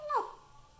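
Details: A talking pet African grey parrot, which speaks Urdu/Hindi among other languages, gives a single brief voiced syllable gliding downward in pitch, then quiet room tone.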